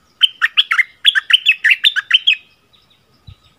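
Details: February 2021 recording of a bulbul in a double-phrase style: one clear phrase of about twelve quick, rolling whistled notes swinging between higher and lower pitches, ending with a faint knock.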